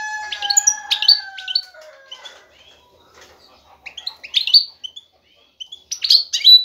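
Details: European goldfinch male seeking a female for breeding, singing intensely to draw her attention: two steady drawn-out whistled tones, then high tinkling, buzzy twitters after a quiet gap.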